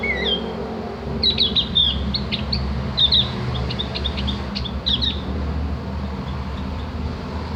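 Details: Javan grey-throated white-eye (opior jawa, cak gentong), in master audio so other birds learn ngriwik chattering. Bursts of high, thin chirps and sharp ticks come in uneven groups, while a low rumble runs throughout.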